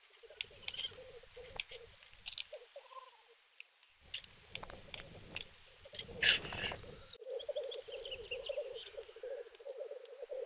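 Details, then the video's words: Black grouse lekking and fighting in Kuusamo, Finland, May 2021: a low, continuous dove-like bubbling pulsing several times a second, broken by harsh hissing sneezes from displaying males, other birds calling faintly behind. "Black grouse fights. Teeret soitimella"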